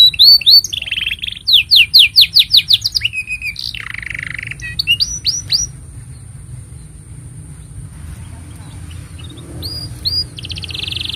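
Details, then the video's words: Canary singing loudly, meant as a master recording for juvenile canaries and a prompt for mute birds. Rapid rising chirps and buzzy trills fill the first five seconds, then near silence follows, until a few whistles and a short trill return at the end. "Kenari Gacor Panjang Ini Bagus Untuk Masteran Kenari Paud Dan Pancingan Kenari Bisu"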